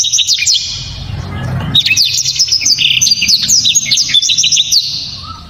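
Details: Black-throated canary singing almost without pause: dense, high, sharp chirps and quick slurred whistles in a continuous rapid stream, with a brief dip in the song early on and low rumbling beneath.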